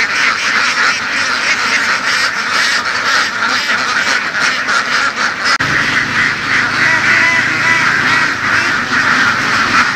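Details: Large flock of laying ducks herded through open fields in western Vietnam, giving a dense, continuous chorus of overlapping nasal quacks with steady rapid pulses, a raucous wall of sound throughout.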